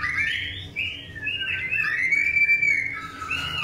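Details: A long-tailed white-rumped shama sings while being paired for breeding: rich, warbling, gliding whistles that swoop up and down in smooth loud phrases, with no break in the flow.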